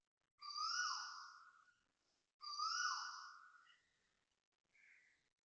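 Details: A loud Asian koel at 6:38 am on 5 December 2025 in Toa Payoh, Singapore, gives drawn-out hoarse notes, each about 1.5 seconds and slightly falling, two in a row, then a shorter third.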